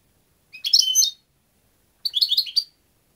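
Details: European goldfinch singing two lively twittering phrases about a second and a half apart, each a quick run of tinkling, chattering high notes, quiet otherwise.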